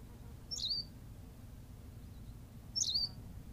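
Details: A Berthelot's pipit on La Gomera, Canary Islands, utters two quick, high, squeaky phrases a little over two seconds apart, each a bright chirp with a brief downward slur, over quiet low background noise.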